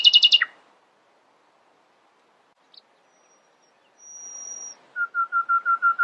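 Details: Nightingale in early-morning song: a brief loud rattling burst, a long pause with a thin high drawn-out whistle, then about seven evenly repeated mid-pitched notes.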